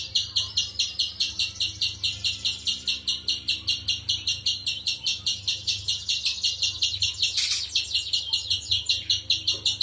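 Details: Spiderhunter giving a long, fast series of sharp, high chipping notes, about two or three per second and evenly spaced, over a steady low electrical hum.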